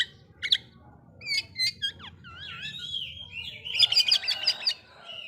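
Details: Oriental magpie-robin song meant to provoke other magpie-robins: whistled notes, rising and falling slurs, and fast stacked chattering bursts near the end.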